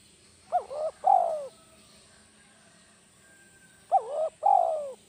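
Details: Spotted dove, a trained decoy bird, giving the kuk 1 call: two phrases of low, mellow coos, each a short hooting note followed by a longer wavering coo, the phrases about three seconds apart, with a faint steady hum behind.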